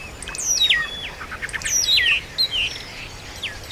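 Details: Wild countryside birds singing outdoors: loud descending whistled phrases that step down in pitch, repeated several times, mixed with quieter high chirps and tweets from other birds in the background.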